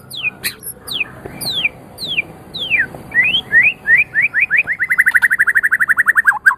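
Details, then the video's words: Magpie-robin singing: a series of clear downward-sweeping whistles, then rising slurred notes speeding into a rapid run of over twenty short repeated whistles near the end. "Kicau nya murai ini memang sangat HEBAT NIE"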